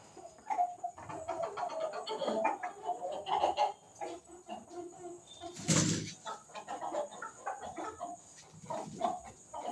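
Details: Fighting White Leghorn chickens give busy runs of short clucks and cackles, broken by a sudden loud burst near six seconds, likely wing flapping. A constant high hum runs underneath.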